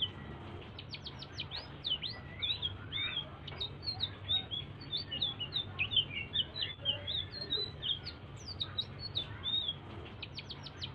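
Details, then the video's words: A blue-throated bee-eater sings busily in its soft stimulating song, a continuous chatter of high whistled chirps and looping slurs, opening and closing with quick runs of sharp rising notes, a low steady hum underneath. "BURUNG SELENDANG BIRU GACOR ‼️ SUARA LIRIH UNTUK PANCINGAN"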